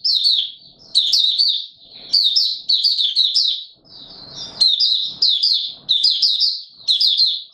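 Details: White-eye known as Mata Puteh Raja, singing openly in warm humid weather on 20 March 2022; shrill, fast warbling phrases repeat steadily, with one brief rustling noise midway.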